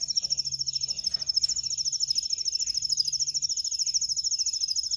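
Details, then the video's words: Singing canary for song training: one high, steady, very rapid trill runs unbroken throughout, bright and metallic, with a faint low hum behind. "Canary training 0.25 Hour canario canary song"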